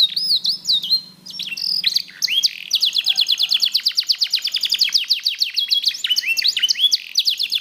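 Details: A black-red mosaic canary sings a bright, continuous song: high whistled notes, then long rapid trills of repeated chips, several per second, with a faint low hum underneath.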